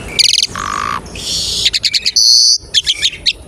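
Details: Lure song of an Asian pied starling, used to prompt other starlings into singing: a rapid ticking burst, a flat buzzy note, then stuttering clicks, a long high buzz and more quick chatter.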